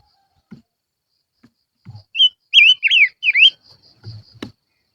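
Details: Lure song from a silver-eared mesia: a quick run of rising and falling whistled notes, each dipping then climbing. A thin high tone lingers after, with low knocks and a sharp click.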